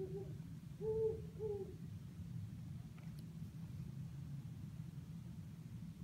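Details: Great Horned Owl hooting from eucalyptus trees outside a window at Sherman Island, California: a short series of three deep, soft hoots, the middle one strongest, over steady low rumbling background noise.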